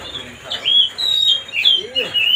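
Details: Brief stretch of Oriental magpie-robin song meant to stir another bird up, made of a few bright high whistled notes, some rising and some dipping, spaced by short pauses.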